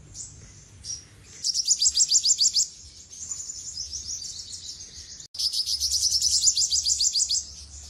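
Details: Olive-backed sunbird singing very high, thin and sibilant: fast trilled bursts of sharp notes, about three per second, between softer twittering phrases.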